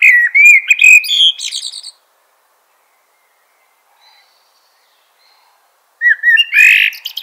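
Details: Fluty, mellow warbling phrases of a Eurasian blackbird, low rich whistles running into high scratchy twittering, then a silent gap before another rich whistled phrase with a twittery finish.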